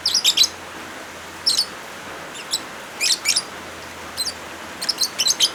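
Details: Lovebirds mixed with rain sounds, meant as therapy or a tutor recording for birds that have stopped singing: clusters of shrill, high chirps in quick bursts, spaced about every one to one and a half seconds, over a steady rain hiss.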